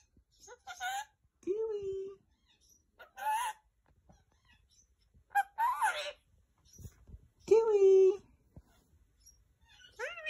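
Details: Talking male green Indian ringneck parakeet producing short mimicked word bursts mixed with flat, nasal drawn-out notes, delivered in irregular spurts about every second or two with quiet gaps between.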